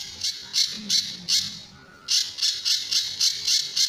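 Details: Pijantur, or Sunda bush warbler, in a master recording for training other birds, with tembakan and besetan styles: four rasping high bursts, a quiet gap, then a faster run of six scratchy chips.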